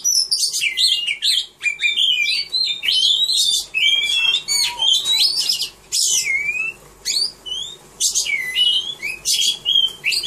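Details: At a 3 April 2015 birdsong award, a caged Oriental magpie-robin sings a long varied performance: sweet whistles, slurred rising notes and harsh chattering bursts, with brief pauses between phrases.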